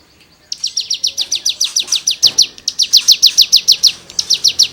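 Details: Cigun singing in full, lively 'nembak' style, used as tutor material for songbirds: a fast, even series of sharp high buzzy notes, about five per second, after a short quiet start, with one brief break.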